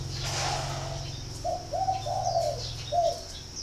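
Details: Spotted dove from a bird farm in Ba Vi district, Hanoi, Vietnam: a short cooing phrase of four mellow notes, the third longest, after a stretch of low humming background and distant twittering.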